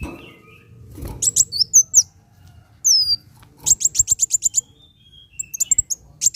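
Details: Van Hasselt's sunbird singing, a recording for prompting caged birds to sing: high chips and thin whistles, a long falling whistle, then a rapid even train of about eight sharp ticks and final scattered notes.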